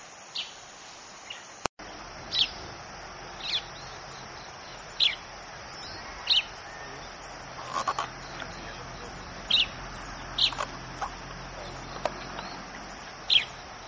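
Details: Chestnut-shouldered petronia near Goa, India: brief high chirps repeated roughly every one to one and a half seconds, with a lower note in between and a sharp click early on, over constant hiss.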